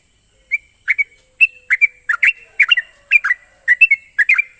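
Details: Sooty-headed bulbul song played to spur a trainee bird to sing: bright, clipped whistles and bubbly doublets coming quickly, about three per second, with a soft continuous hiss.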